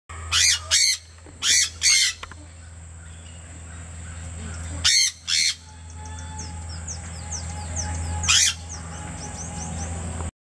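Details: Sun conures at Sylvan Heights Bird Park give loud, harsh screeching calls in short paired bursts over a low background hum.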